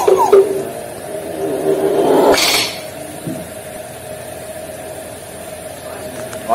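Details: Black Nias hill myna, trained to mimic voices, says "assalamualaikum" in a nasal, speech-like voice over about two seconds, ending in a sharp burst, then a steady hum.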